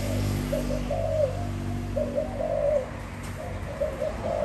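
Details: Spotted dove, 2021, giving soft, low, hollow coos in short phrases of two to three notes, repeated about every second with brief pauses, over a steady low hum.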